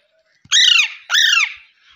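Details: Green parrot giving two loud, harsh, arched squawks about half a second apart. Each is rich in overtones and first rises, then falls. Quiet background.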